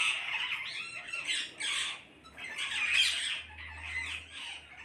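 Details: A group of parrots making noise together, with a steady wash of shrill, raspy squawks. A brief lull falls near the middle before the chorus swells again.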